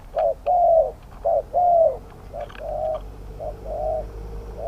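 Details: Spotted dove used as a decoy in a trap pen to lure wild doves of medium voice in Thailand, cooing in short-long note pairs, a brief note then a longer, slightly falling coo, repeated several times over low rural background hum.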